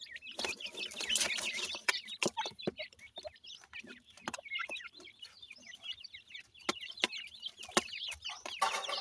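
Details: Dakhni teetar (grey francolin) chicks at feeding time: a near-continuous chorus of high, wavering peeps and twitters from several young birds, punctuated by sharp percussive clicks.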